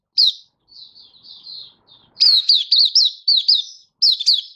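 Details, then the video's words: Malaysian white-eye, Singapore, warm sunny day, 20 March 2023, in open 'buka' song: one sharp note, gentle warbling, then a fast string of bright, bouncing, up-and-down whistled notes. "Malaysian Mata Puteh Happy Buka Sing"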